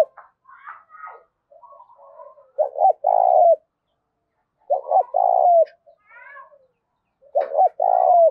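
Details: Spotted dove in intense 'thúc đấu' contest calling, 'thổ pha đồng' voice style. Three low coo phrases about two seconds apart, each a double hoot and a long falling coo. Softer warbled sounds fill the gaps between them.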